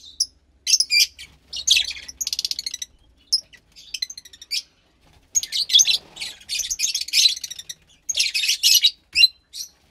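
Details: Captive lovebird chick of the Fischer's kind, roughly 15 days old, calling in long runs of scratchy, buzzing high chirps, nearly continuous in places, with brief quiet gaps between bursts.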